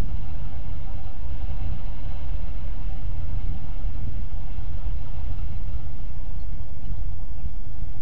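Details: Continuous deep engine and road rumble throughout, with no animal voices present.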